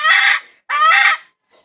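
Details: A chicken hen calls for a rooster with two loud, rasping, bright squawks a moment apart, followed by a faint trailing note.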